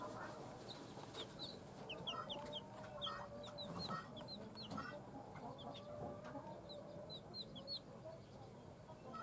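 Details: Chirping of newly hatched chicks from a hen's clutch: rapid, high, thin downward-slurred peeps in overlapping runs from several birds, with a low, steady hum underneath throughout.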